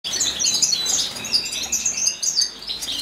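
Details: Wild Atlantic canary recorded in 2015, singing a fast, unbroken high twittering with bright chirps and quick trills flowing together across three seconds.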